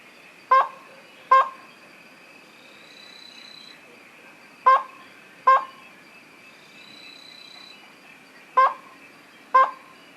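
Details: Slaty-legged crake giving three well-spaced pairs of brief, rasping notes, each double note followed by a few seconds of quiet with a faint insect hum and background hiss.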